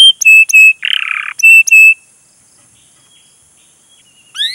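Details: Canary in full song, used as a lure to prompt young canaries to learn singing: a few clear whistled notes, one rough buzzy burst, then a long quiet pause ending in a rising, sweeping note.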